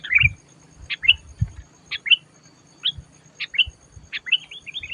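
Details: Sooty-headed bulbul lured for trapping, said to turn loud and fierce: quick series of short, bright, slurred chirps repeated roughly every half second to second, with soft low knocking and background hiss.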